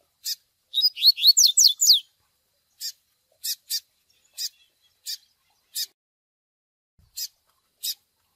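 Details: Begging double-collared seedeater chick, recorded for teaching brown males the Tui Tui Zel Zel song: one chip, a tight run of steeply rising high squeaks over a second, then a long series of sharp clicky chips at uneven intervals.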